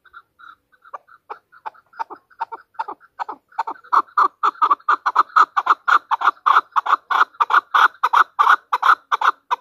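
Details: Hunter chukar, the chakor of Pakistan: a calling bout that opens with soft, scattered chuck notes and swells into a loud, rapid, continuous clucking rally lasting several seconds.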